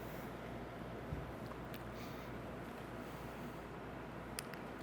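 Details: Only a steady low rumble of background noise with a few faint clicks and rustles; no animal voice is heard.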